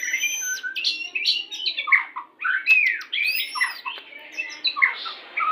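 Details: White-rumped shama "pastol" lure song for pairing birds so they come into breeding condition quickly; varied warbled phrases, high thin whistles and abrupt squawky notes delivered in fast bursts with short gaps.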